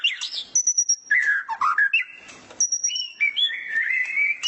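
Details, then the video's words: Clear whistled song of a white-rumped shama put out to sunbathe in the morning: high pure held notes alternating with lower swooping whistles and short chatter. "Masteran burung murai batu saat di jemur pagi pagi"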